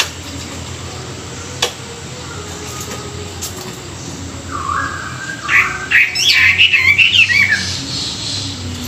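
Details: Chinese hwamei singing in the morning for song training: quiet background at first, then a loud burst of varied whistled phrases rising and falling in the last few seconds.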